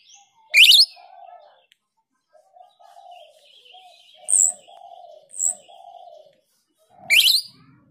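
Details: Female grosbeak starling (Scissirostrum dubium) in a lure recording: four shrill, sharp chirps spaced a second or more apart, over a steady run of soft, low cooing notes.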